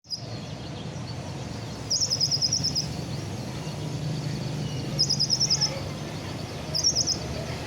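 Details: Kept sunbird (kolibri ninja), just finished moulting, singing: three short bursts of rapid, high, thin chipping notes, each about a second long, spaced a few seconds apart over a steady low background hum.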